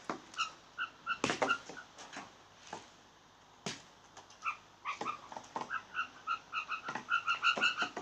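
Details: Blue jays making funny sounds: many soft, nasal, bell-like notes in irregular runs, mixed with sharp clicks, with the notes growing faster and busier toward the end.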